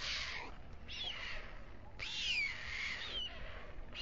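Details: On a nest atop the town hall tower of Alcalá de Henares, Spain, two white stork chicks are fed by the male at dusk. Long, buzzy, hoarse calls slide downward, with one brief call in between.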